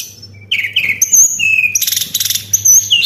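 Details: Lure song of a white-browed shortwing: after brief silence, slurred falling whistles, a long high level note, a quick stuttering series of sharp chips, then looping high whistles, bright and rapid.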